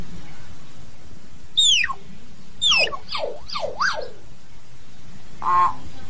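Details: Common hill myna song calling the flock: a high falling whistle, then a quick zigzag run of swooping up-and-down whistled notes, and after a pause a short harsh nasal note, over a faint low hum.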